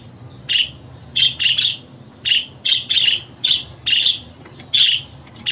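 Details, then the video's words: Budgerigar calling with single and paired rasping chirps at irregular intervals, roughly every half second to second, against a quiet background. "Muhabbet Kuşu Sesi, Kuşunuz Kesin Ötecek, Karşılık Verecek, Muhabbet Kuşu Çağırma Sesi!"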